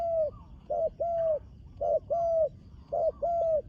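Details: Spotted dove, young bird on its first outing to the competition ground, repeating a clear cooing couplet, a brief low note then a drawn-out level one, three times in under four seconds.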